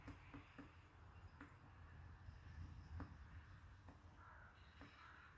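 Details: Great spotted woodpecker tapping on a tree after finding bark beetles; sharp, dry, isolated knocks at uneven intervals, roughly every half second to a second, faint against a low rumble of background noise.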